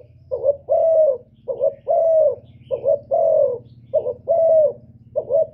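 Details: Urgent spotted dove calling meant to provoke males, heard as repeated mellow coos, a quick two-note lead-in then a sustained low note, roughly once a second, with a persistent low background hum.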